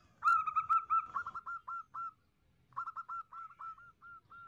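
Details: Female zebra dove giving its lure call to attract males: a loud opening note followed by quickly repeated clipped coos that slow and fade, then a second, quieter run of short even notes.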